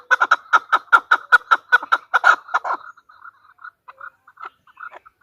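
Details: Female chukar partridge calling: a burst of loud, rapid clucks for about three seconds, then fading into scattered soft, low chuckling notes.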